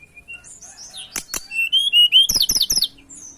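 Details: Song of a mountain tailorbird, played to lure other birds: thin, level whistles give way to a series of loud, rapid, high chirped notes with sharp clicks between them, ending in fainter trailing whistles.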